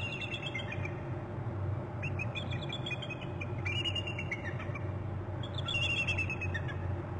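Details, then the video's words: On March 28 at 8:14, both eagles give high, thin chittering trills in four bursts of under a second each as one eagle arrives from the right, over a steady low rumble of wind or distant traffic. "both eagles trill"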